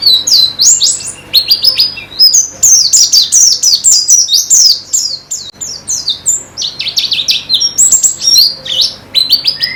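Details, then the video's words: Continuous white-eye song in a pleci therapy recording: very high, sharp, twittering notes falling and rising in rapid clusters, nearly unbroken, with brief pauses around the midpoint. "Terapi Pleci Cepat Ngalas dan Semakin Gacor"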